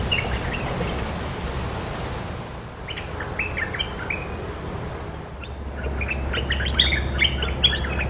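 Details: Cream-vented bulbul, a territorial bird answering a decoy recording, gives short bursts of bubbly chattering notes, first in a cluster and then a busier run after a brief pause, over a steady low rumble.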